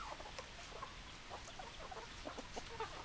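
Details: Chickens clucking: many short, soft clucks scattered densely through the whole stretch, overlapping from several birds, over a steady hiss of background noise.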